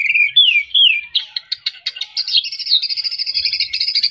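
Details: White-rumped shama in full song, used as therapy playback to rouse birds reluctant to sing: a few slurred, falling whistles open, then a fast run of sharp, repeated notes and ringing high whistles.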